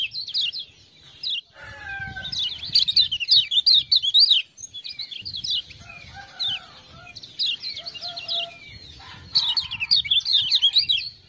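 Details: Kecial kuning (lemon-bellied white-eye) bursting into song after ciak-ciak prompts: repeated clusters of quick high chirps, separated by short gaps and a few lower, softer whistled notes.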